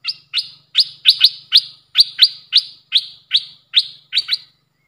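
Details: Puff-throated bulbul decoy bird sound used for training young birds: a rapid series of sharp, descending chirps, about eleven notes in under five seconds, each a quick downward sweep.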